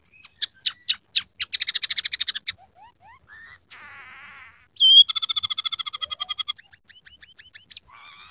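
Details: Scaly-breasted munia in full song with learned canary, sparrow and red siskin phrases: high rapid rattling trills, soft rising slurs, a harsh buzzy burst, then a loud dense trill and clicking notes.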